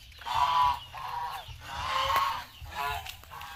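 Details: Three drawn-out nasal honks from geese kept on an Asian farm, each lasting about half a second with short gaps, above a faint low background drone.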